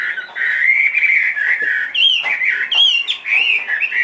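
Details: Two-and-a-half-year-old large-bodied Chinese hwamei kept in a cage, delivering a continuous loud warbling song of slurred whistles, with sharp high upswept notes breaking in midway.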